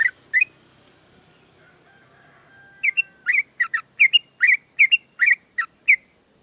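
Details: Caged sooty-headed bulbul at morning sunning after dew therapy: two quick chirps, a quieter stretch with a faint thin whistle, then a steady run of emphatic bubbly double notes.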